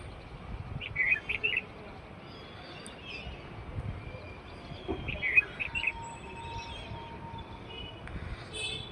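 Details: Outdoor birdsong: two quick bursts of bright, high chirping notes, one near the first second and another about four seconds later, with quiet gaps between and a constant low rumble of background noise.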